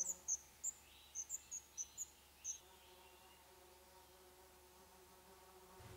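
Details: Black redstart chicks begging in a nest inside an old furnace pipe of an old building awaiting demolition in Poland, on the nestlings' eleventh day. About eight thin, very high, short squeaks come in the first two and a half seconds, then quiet background hum.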